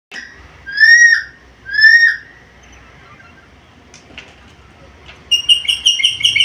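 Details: Black-capped lory, a chatty talking bird, gives two loud, slightly falling whistles about a second apart. A pause follows, then a burst of rapid, evenly repeated chirping notes at the end.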